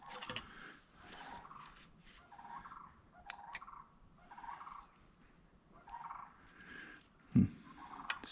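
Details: Sandhill cranes calling in the background outdoors while tractor hydraulic repairs go on; rolling, rattling bugled bursts repeated about every second, with metallic clanks from tools.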